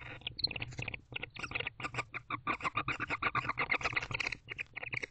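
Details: Barn owl pair in a nest box at night, 11:45 pm on 10/23/23, the male vigorously allopreening the female during courtship. Rapid, dry, scratchy chittering bursts run almost continuously, several per second and irregularly spaced, with a faint low hum beneath.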